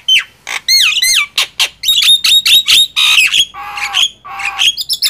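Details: Loud singing duel of Nias hill myna and black-winged myna, with shrill downward-sliding whistles, clipped squawks in quick sequence, and two sustained nasal tones near the end.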